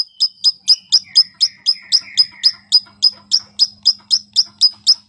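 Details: Long-tailed shrike song meant to coax a silent bird into singing: a steady run of high, clipped chirps about four per second, joined midway by a lower rasping warble, with a faint hum beneath.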